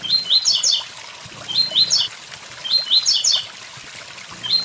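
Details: Blue-black grassquit singing its "tui tui zel zel" song beside a waterfall: three short, high, buzzy phrases of rising chirps, each opened by faint ticking notes, over the steady rush of falling water.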